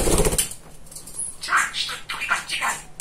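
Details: Very talkative, funny male pet budgerigar: a loud rustling burst at the start, then soft warbling, speech-like chatter of quick phrases in a small indoor room.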